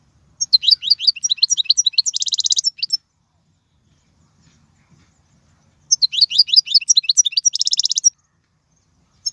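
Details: European goldfinch song played for young birds to learn: two rapid twittering phrases, each ending in a dense buzzy trill, separated by about three seconds of silence.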